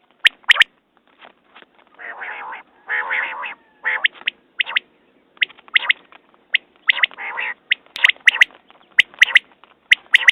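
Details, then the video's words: Calls of a common quail. Longer, softer nasal notes near the start give way to rapid sharp doubled notes. These continue steadily to the end, and the background is quiet. "Batair Ki Awaz New Quail sounds 2019"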